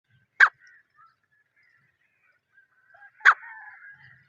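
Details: Wild partridge (teetar) recorded in natural jungle surroundings, unedited: two loud, harsh, abrupt call notes about three seconds apart, each a brief burst, with faint softer chatter of other birds in between.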